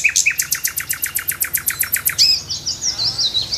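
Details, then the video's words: Nightingale singing in the morning from a tree: a fast series of about fourteen sharp, loud clicking notes repeated steadily for two seconds, then a bright whistled upslur and a trailing twittery, buzzy phrase. "Nightingale morning song on the tree"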